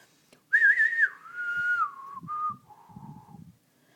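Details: Pet African grey parrot indoors, whistling a wavering high note that steps down into longer steady falling tones, with soft scraping sounds underneath and a woman talking before and after.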